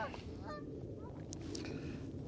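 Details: Canada geese in a flock of about 60 with about 10 brant mixed in, at Castle Island, Boston, on a sunny 25° winter morning, February 3: a few brief nasal honks about half a second apart over wind and distant noise.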